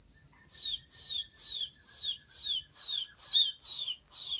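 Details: Chinese hwamei recorded 15 June 2021 repeating one high, downward-sliding whistle roughly every half second, eight or nine times in a row, with faint background rustle and a steady thin tone.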